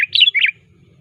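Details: Sooty-headed bulbul calling to a rival, used as a lure: one brief burst of warbled whistled notes rising then dipping, lasting about half a second, with a faint low hum after.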